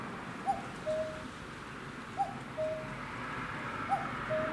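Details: Common cuckoo calling while perched on a utility pole near a garden, late May; three clear cuck-oo calls, each a short higher note followed by a longer lower one, about every one and a half seconds, light background noise.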